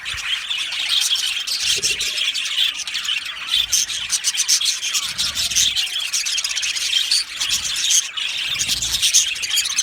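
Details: Aviary colony of budgerigars giving a dense, scratchy, nonstop chatter of high chirps and squeaks, with occasional brighter notes rising above the mass.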